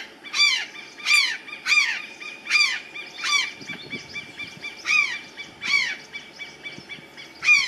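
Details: Azure jay resting on the top branch of a tree, giving loud harsh downslurred calls repeated roughly every 0.7 seconds, eleven in a row, with a quiet low rumble in the background.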